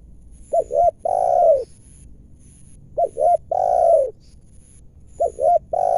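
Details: Wild spotted dove in its home area in Indonesia, answering a decoy bird during trapping; low hooting coos, a double short note then a long falling tone, repeating roughly every two seconds.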